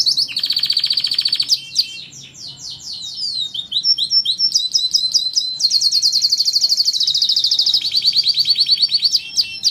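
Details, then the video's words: Canary song used as tutoring material for starlings and other songbirds: loud, high, continuous trills and rolls, buzzy rattles shifting into rapid repeated chips, changing tempo every couple of seconds without a break. "Materi kenari cocok buat masteran jalak dan burung ocehan"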